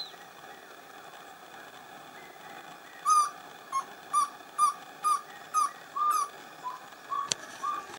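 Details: Pale-billed antpitta recorded at San Lorenzo in northern Peru's humid montane bamboo forest, giving a run of about ten short whistled notes, two to three per second. Higher, thin upswept calls from other birds overlap, and there is one sharp click.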